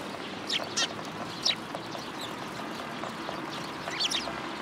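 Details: Sparrows gathering for food set out on a pillar at a Tenmangu shrine, 27 January 2023, alongside white pigeons; bright, high chirps come in short bursts, a pair early, one in the middle and another pair near the end, over a constant low hum.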